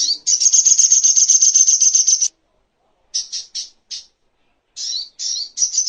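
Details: Crimson sunbird (sogok ontong) recorded as a master for training songbirds: a rapid, high trill of about two seconds, a few short chirps, then twisting notes that run into another quick trill.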